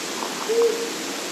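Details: Flammulated owl (Psiloscops flammeolus), hoot.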